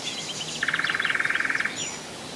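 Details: Common nightingale singing at Rassudovo, about 40 km from Moscow, in July 2011: after soft high chirps, a fast rattling trill of about twenty even pulses in one second, with faint high twitters of other birds behind.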